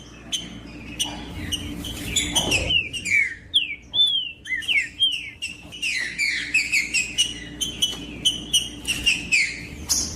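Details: Green-winged saltator in full 'macheando' singing to warm up another saltator. After a few chips, a long flowing series of whistled, bending phrases runs nearly without pause. A low electrical-like hum continues throughout.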